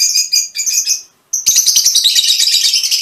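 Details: Mutation-coloured Fischer's lovebirds keep up loud, continuous, high scratchy chattering, with one brief pause near the middle.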